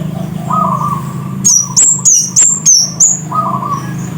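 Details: Scarlet-headed flowerpecker, known locally as cit kersen, singing actively: five sharp, very high, down-slurred tsit notes in a quick run, with a softer low whistle before and after and a steady low hum underneath.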